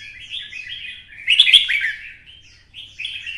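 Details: Red-whiskered bulbul pushed into a fighting song, twisting-voice type: soft twitters rise into a single brief, loud, bright, clicking warble, then fade back to chatter.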